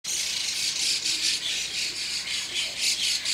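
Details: A noisy flock of White-cheeked Starlings above a neighbour's window early in the morning produces a dense, harsh, high-pitched chattering chorus that runs without a break and swells in loudness every half second or so.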